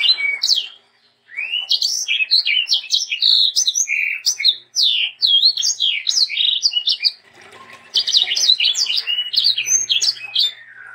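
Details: Sanger in full, lively song, offered as tutor song for young birds: long runs of fast, sharp chirps and rising and falling whistled notes, broken by short pauses, with a faint low hum near the end.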